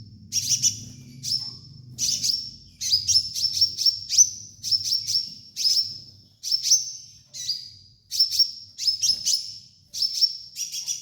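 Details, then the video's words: Sunbird song played as a master song for training other songbirds: rapid bursts of very high, sharp chips with quick downward strokes, repeated about every second, over a faint low hum. "MASTERAN KOLIBRI NINJA"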